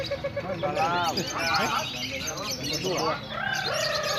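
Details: Lovebirds in a lovebird class at routine training on a bird-singing field, many entrants preparing birds to perform at competition hanging poles; bright chirps and rapid twittering phrases from several birds, with people talking throughout.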